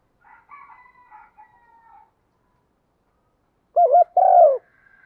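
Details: Decoy spotted dove calling in the thúc vấy style with one ending. Faint thin calls from another bird come first, then the dove gives a loud wavering double note and a long falling coo.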